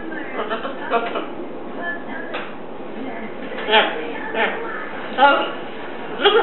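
A Catablue macaw chatters in rough, speech-like phrases with a few louder squawky bursts, over an indoor murmur of television voices.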